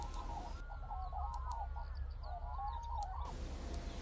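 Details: Wintering black-necked cranes in Bhutan's Phobjikha Valley on a cold early morning in early February 2026 give loud, wavering bugled calls, several birds overlapping in rough bursts, over a steady low rumble of wind.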